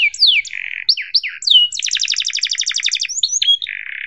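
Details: Canary song used for tutoring young canaries: a few sharp down-slurred chirps and buzzy notes, then a dense, very rapid rolling trill, closing with another low buzz.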